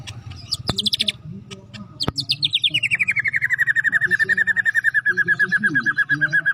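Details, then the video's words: White-rumped shama ready for a singing competition: a few sharp clicks and chatters, then a long rapid trill of repeated notes sliding down in pitch and holding steady for several seconds; low hum underneath. "murai batu gacor siap untuk di lombakan"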